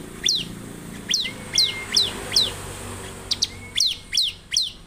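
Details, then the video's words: Spaced, piercing downslurred chirps from a Bar-winged prinia, known locally as ciblek, come about every half second. A thin sustained whistle runs under the first group and again near the end. "ciblek lain pasti gacor dengan suara ciblek gacor ini"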